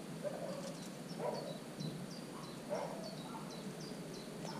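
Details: Common cuckoo chick sitting in a marsh warbler nest, 27 June: a regular series of faint, high, short downward notes, roughly three per second, with a few lower muffled sounds beneath and a constant background hum.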